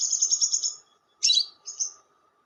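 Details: Lovebird chatter played to lure lovebirds: a shrill, rapidly pulsed chattering phrase, then a short harsh burst and a thinner trilled note, all high-pitched.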